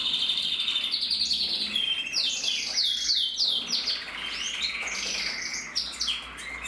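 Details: Male red-mosaic isabel canary with a red mask, bred in 2024: loud, continuous song of fast trills and rolls, with repeated descending whistled sweeps in the middle and buzzy rolling phrases throughout.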